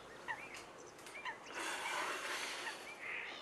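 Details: Whooper swans at Nosterfield on 28 February 2015 give short, bugling honks, four or so in a few seconds, over a rushing background of wind or distant flock noise.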